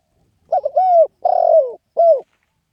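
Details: Spotted dove calling once through its three-part phrase: a stuttered start running into a level coo, a long buzzy falling coo, then a short pure closing coo, in a quiet setting.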